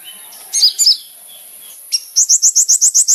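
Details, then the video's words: Kolibri ninja sunbird used to lure other sunbirds: a few sharp, squeaky high chirps, then a steady series of high, rising notes at about four per second. "SUARA BURUNG KOLIBRI NINJA GACOR LANGSUNG RESPON BUAT PANCINGAN KONIN ANDA"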